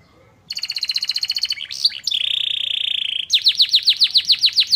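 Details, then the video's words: Canary whose song includes white-eye (pleci) material, meant to excite other birds: a fast, high trill of about twenty quick notes, then a long buzzy held tone, then loud repeated down-slurred whistles. "Burung kenari bocor materi pleci"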